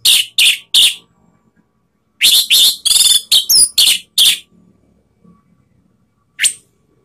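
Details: Orange-headed thrush from Indonesia giving a song that provokes rivals: three quick sharp notes, a pause, then a rapid cluster of buzzy and twisting whistled notes, closing with one lone high note.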